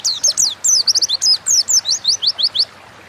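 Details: Oriental white-eye singing energetically in the ngalas style, recorded as a lure to prompt other birds to sing: a rapid run of high, sharply slurred chirps, many falling in pitch, delivered for about two and a half seconds before stopping.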